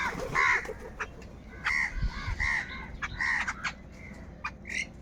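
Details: Crows crowding in a large flock while fighting for food, calling in a rapid series of harsh, ringing caws, several overlapping in quick bursts, with clicks and low thumps beneath and a final shorter cry.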